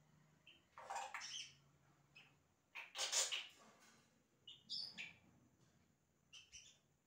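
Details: Yellow-rumped cacique in imitative song: a series of rough, crackling bursts separated by brief high whistles and chips, irregularly spaced across several seconds.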